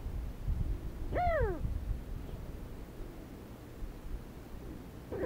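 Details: Sandgrouse in the desert, flocks coming to drink water, Sony HDR-CX405 camera: one clear ringing call rising sharply and then sliding down, with a very faint later note over soft wind noise.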